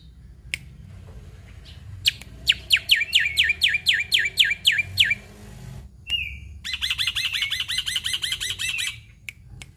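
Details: Indonesian black-winged myna (jalak putih) singing 'gacor full isian', packed with imitations: a quick run of about ten sharp descending chirps, a short pause, then a fast, dense rattling trill of repeated notes.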